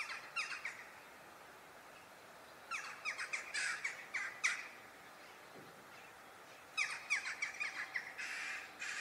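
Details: A western jackdaw (Coloeus monedula) gives short, sharp, metallic 'tchak' calls in three quick bursts of several notes each, separated by brief quiet spells.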